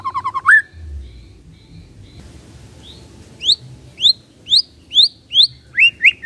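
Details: Kretekan of a white-rumped shama, meant to stir up emotion: a quick run of low notes, then a series of sharp rising whistled upsweeps repeated about every half second.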